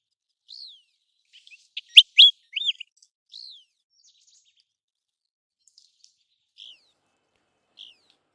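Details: American golden plover (Pluvialis dominica) giving high, clear down-slurred "queet"/"kleeu" whistles, scattered singly with a brief burst of sharper notes in the middle; otherwise quiet. Such flight calls keep contact within migrating flocks.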